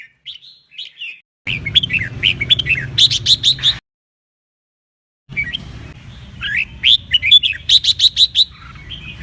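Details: Red-whiskered bulbul duet song meant to push birds to sing and compete: bright chirpy whistled notes, then rapid runs of sharp repeated notes, in two bursts split by a silent gap, over a low rumbling background.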